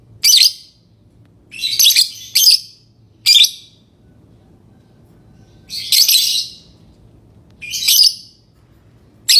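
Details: Harsh, high lovebird chirps come in single and paired bursts at irregular intervals over a low steady hum.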